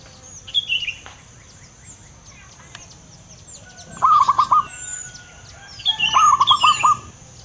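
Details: Loud-voiced local male zebra dove in active song, delivering two rolling phrases of four to five short coo notes about two seconds apart, while another bird adds high, sharp chirps.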